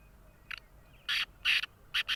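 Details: Calling black francolin, known locally as kala tetar, with a faint short note followed by loud raspy buzzing bursts, two long and two clipped, spaced irregularly within about two seconds.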